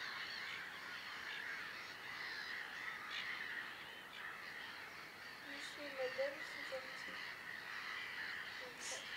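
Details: Garganey (Spatula querquedula) at the Harchies marsh, Belgium, in April 2013, giving a dry, crackling rattle that runs on almost without pause, with a few brief higher notes near the end.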